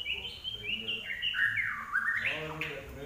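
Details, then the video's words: Common iora singing actively: a flowing series of clear whistled notes that start level and high, dip and rise again, ending in a short upward-sweeping flourish over a faint background hiss. "larwo Gacor"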